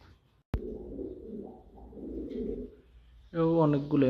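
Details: Fancy pigeons of a prized breed from Saudi Arabia, kept as a hobby in Noakhali: a low, throaty cooing murmur runs for about two seconds, then a louder harmonic sound ends the clip, with room noise and a sharp knock.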